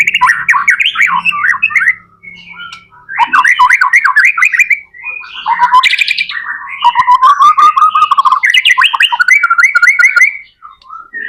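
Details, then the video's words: White-rumped shama belting out a lure song for other shamas: loud, rapid chattering phrases and whistled trills alternating with short pauses, continuous varied notes over eleven seconds. "MURAI BATU GACOR AMPUH BUAT PANCINGAN MURAI BATU AGAR CEPAT BUNYI JADIKAN BURUNG MURAI GACOR"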